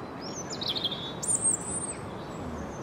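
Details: European robin in spring singing a brief phrase of high, sliding whistled notes with a sharp trilled flourish, set against constant low outdoor noise.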